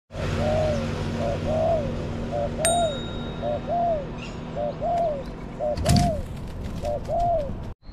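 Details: Spotted dove lured with a decoy in a garden, giving low cooing phrases, a short note and then an arched, falling coo, repeated about once a second; a sharp metallic ding and a clank break in partway through, over steady low rumble.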